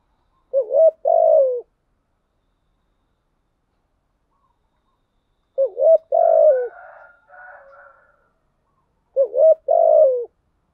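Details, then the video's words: Spotted dove cooing as a lure for wild doves: three phrases, each a quick double note and a sliding croon, spaced about four seconds apart. A fainter, higher fluttering sound follows the middle phrase. "Tiếng Cu Gáy Giọng Hạp BổI ĐỦ BÀI ( GÁY GỌI,THÚC,GÙ ) bảo đảm bổi nghe gáy theo hiệu quả"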